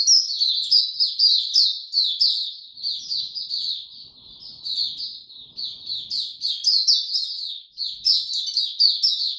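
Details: Sustained twittering from a white-eye on 26 March 2022 in warm, very humid conditions. Dense high chirps tumble quickly together, with a short softer patch in the middle, then an energetic finish.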